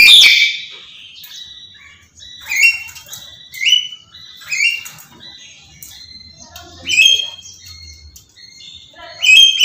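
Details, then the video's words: A Black-capped lory screaming nonstop: loud, harsh, high screeches about every one to two seconds, with softer scratchy chatter between them and a faint low hum behind. "Burung Nuri kepala Hitam Teriak gak henti"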